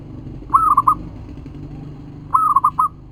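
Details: Two phrases from a local zebra dove used as a lure recording: each a sustained coo breaking into a few staccato notes, over a noisy rumbling background.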